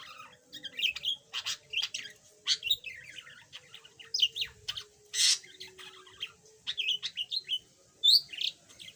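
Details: Yellow budgerigar, once silent and now starting to chatter a little, giving a busy run of short chirps, squeaky notes and scratchy warbles in quick, uneven succession, with a faint steady hum underneath.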